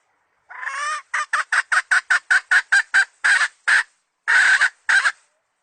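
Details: Decoy hen chicken recorded for the 2020 season, used to attract birds to be caught: a drawn rising squawk, then a rapid run of about fourteen short, sharp clucks, ending in a few longer, harsher notes.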